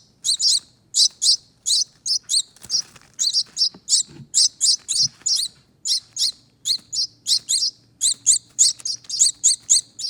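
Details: Baby finch begging, two young birds from a front door wreath nest being fed. A steady series of about thirty bright, high squeaky chirps, some paired, with a faint low hum later.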